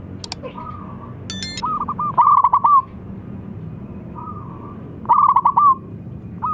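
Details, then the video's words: Zebra dove, a local bird in good voice, calling to invite rivals to sing: stuttering, rolling coo bursts every few seconds with faint softer coos between, plus a couple of sharp clicks and a brief metallic tapping. "PERKUTUT LOKAL GACOR SUARA MEMANGGIL MENGUNDANG LAWAN BUNYI"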